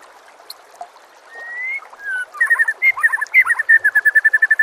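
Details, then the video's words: White-rumped shama master song for training other birds: after a soft start, a rising whistle, then a fast rattling series of short repeated notes, about three per second, accelerating into an even trill. "murai batu anda dengar suara MASTERAN burung"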